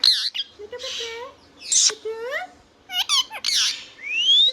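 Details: Indian ringneck parrot, a pet, talking: squawky speech-like phrases with harmonic rising and falling syllables, sharp high squawks and a long rising whistle at the end, indoors.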